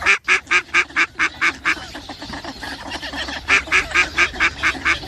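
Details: Mallard giving two loud bursts of rapid, harsh quacks, eight and then seven notes at about four per second. A stretch of quieter, mixed quacking separates the two bursts.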